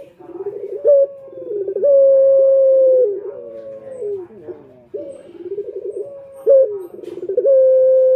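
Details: Male Barbary dove cooing, used as a lure call: low, rolling coos, each ending in a long, level drawn-out note, repeated roughly every two to three seconds.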